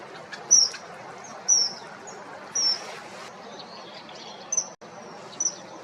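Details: Common Kingfisher calling with piercing, thin, high-pitched whistled notes, repeated about once a second, each note short and slightly falling, over quiet background noise.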